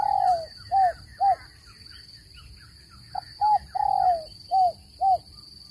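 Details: Spotted dove call used for trapping birds, a clean voice without noise: short, soft, slightly downslurred low coos in two bursts separated by a pause of about two seconds, over a faint steady high hum.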